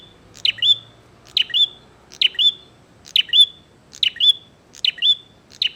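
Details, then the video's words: Bar-winged prinia in fighting mood, singing a steady run of about eight piercing two-note phrases, each a clipped chip then a rising whistle, roughly once a second, faint low hum behind. "SUARA BURUNG PRENJAK GACOR NGAJAK TARUNG"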